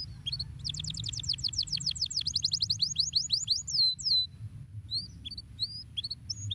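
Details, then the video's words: Stimulating canary song meant to get lazy canaries singing: a fast run of bright, high sweeping notes rolling into a drawn-out falling whistle, followed by sparse short chirps and a steady low background hum. "bons canários .. estimulam muito rapidamente o som do chilrear dos canários preguiçosos"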